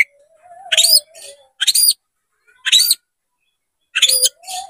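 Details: Tail-spreading Oriental magpie-robin (kacer) singing to goad an opponent into a fight: four short bursts of bright, rising whistled notes separated by silences, with a faint lower warbling note between them.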